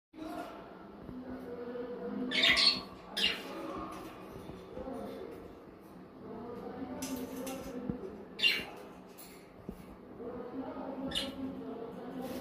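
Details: Pet budgerigars eating leafy greens give harsh squawks over a soft, low chatter.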